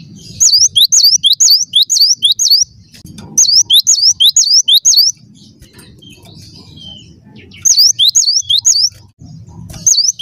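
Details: Cinereous tit singing vigorously in repeated phrases, each a rapid string of sharp, swooping high whistles, with short pauses between bursts and a low rumble underneath.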